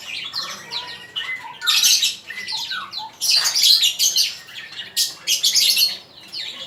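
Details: Male magpie-robin singing as a model for training birds: loud, harsh, scratchy bursts roughly every second, mixed with short slurred whistles, indoors.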